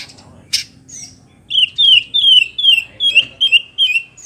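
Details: White-rumped shama singing to provoke rivals: after a few scattered high notes, a rapid series of loud, clear downslurred whistles repeated about every third of a second.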